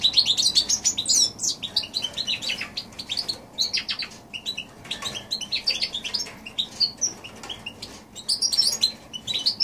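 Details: Goldfinch and canary cross singing in January 2016, a high twittering song of quick chirps, rising flourishes and short buzzy notes, delivered in bursts with brief pauses.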